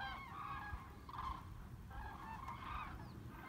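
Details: Cranes in migration over Bremen, Germany, above the river Weser on 30 October 2016, regrouping their formations; bursts of loud, rolling trumpeting calls from several birds overlap, separated by short gaps, over low background rumble.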